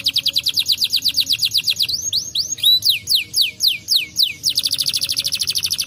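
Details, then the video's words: Brown canary song to stimulate lazy canaries: a fast rolling trill, then slower looping sweeping whistles, and again a rapid high trill to the close. "Canários marrons são muito bons para estimular o som de canários preguiçosos cantando"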